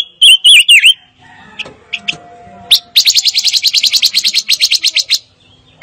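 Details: A fire-tailed myzornis sings, opening with three loud, wavering whistled notes, then after a pause giving a fast, high, buzzy trill of about twenty notes.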